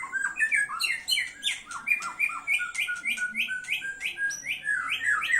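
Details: Caged white-rumped shama singing a fast, loud run of varied whistled and squawky notes, rising slurs repeated about three per second, with chirping in the background and a dull indoor hum.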